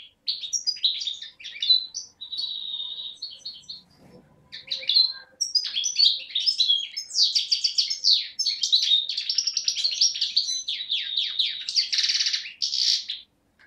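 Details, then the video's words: Beni Snassen European goldfinch from the Morocco–Algeria frontier, young of 2011, voice taken 8 January 2012: lively jangling song with sustained twittered notes, a brief pause with a faint low knock, then a long fast run of chattering trills. "chardonneret parva de beni snassen 2011"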